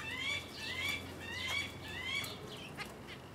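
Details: Guinea turaco (Tauraco persa persa) on 11 August 2019, a male feeding its roughly three-week-old chick; thin, squeaky, slightly sweeping calls repeat about every two-thirds of a second, with soft rustling and flutter behind.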